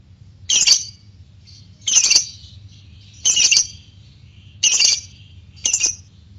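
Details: Lovebird, white-beaked variety, giving harsh squawks at steady intervals of roughly one per second, each short and rasping, separated by quiet gaps with a low background hum.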